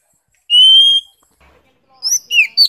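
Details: Oriental magpie-robin from Vietnam: one long clear steady whistle, a pause, then a few quick sliding whistled notes.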